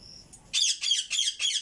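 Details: A pet talking rose-ringed parakeet, reluctant to talk, gives four harsh, high screeching squawks in quick succession, each about a quarter second long, with a faint whistle just before.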